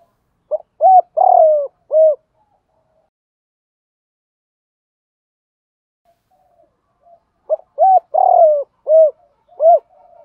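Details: Two spotted dove phrases several seconds apart, each a quick pickup note, two mellow coos, a long downward coo and an end coo, in a recording meant for taming captive birds; silence in the middle.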